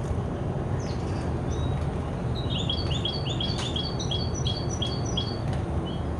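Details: A Hooded Siskin x Red Siskin x intensive yellow colorbred canary tri-hybrid, 50% variegated, sings a run of quick, high, chirpy notes that step up and down over a few seconds, against a steady low background rumble.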